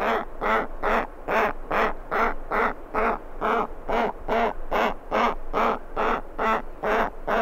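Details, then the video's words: Giant petrel chick begging for food, recorded close up: a loud, steady run of about seventeen harsh, nasal, pulsed calls, roughly two per second, each swelling and fading, continuing without pause. "Giant Petrel. CU Chick Begging For Food."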